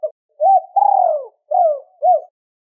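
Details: Cooing spotted dove in two-ending (2 hậu) style, used to excite wild birds: a short rounded hoot, a long falling drawn-out coo, then two more short coos, mellow and low-pitched against silence.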